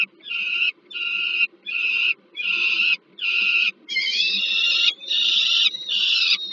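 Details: Food delivery at a Peregrine falcon nest, Żerań heat plant, Warsaw, Poland, 15 August 2022. Even, grating wails, each about half a second long, follow in steady succession. The last few run longer and wider. A low hum sits underneath.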